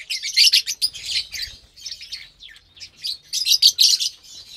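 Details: Morning meal for a group of lovebirds, Saturday 30 April 2022, with kale, corn, sprouts and millet: dense, piercing chatter of shrill chirps in quick runs, dipping briefly midway before rising again.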